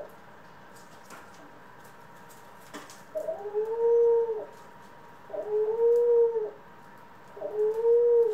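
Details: Pet doves kept together, ringneck, Senegal and hybrid birds: after a quiet start with faint clicks, three smooth, low, drawn-out coos, each about a second long and evenly spaced about two seconds apart.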